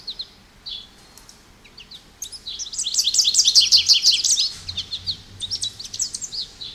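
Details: A few soft high chirps open, then an American goldfinch breaks into a loud, rapid, canary-like twitter for over a second before trailing into scattered notes.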